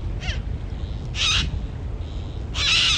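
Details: Yellow-crested cockatoos, a group of non-native birds, likely released pets, along Changi Beach, Singapore; loud harsh screeching calls, one brief then two longer grating screeches about a second apart, over low rumbling background noise.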